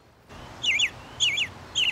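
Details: American Robin in a backyard giving three short, clear warbled phrases that rise and fall, about one every half second, like a conversational "how are you?", against a quiet background.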